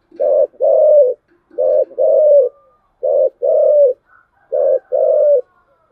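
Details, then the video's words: Spotted dove cooing in the 'giọng thổ chiêu gù' voice style: four low, mellow two-part phrases, each a short coo followed by a longer drawn-out one, repeated about every one and a half seconds over a silent background. "cu gáy/ cu gáy giọng thổ chiêu gù"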